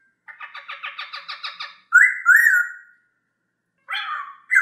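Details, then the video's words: Masked laughingthrush (poksay hongkong) singing: a quick run of about ten harsh buzzy notes, then a loud drawn-out whistled phrase that falls away, and after a pause a burst of rougher whistled notes. "Poksay terapi suara poksay,hongkong"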